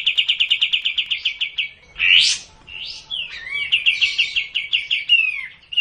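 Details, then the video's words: Sooty-headed bulbul, played as a lure for a bird reluctant to sing. A rapid chattering run gives way to a loud, rising harsh burst and a swooping note. Further trilled runs follow, ending in a slurred whistle. "Cara Memancing Burung Kapas Tembak yang malaes bunyi agar racin gacor dan ngplong"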